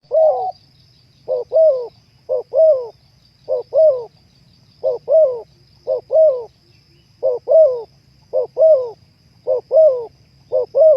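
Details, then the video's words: Spotted dove (terkukur) cooing, used as a sound aid to bring kept birds into breeding condition: short soft double notes then a rolling, slightly falling coo, repeated about once a second, with a faint steady high whine and low hum. "terapi suara naikan birahi burung terkukur"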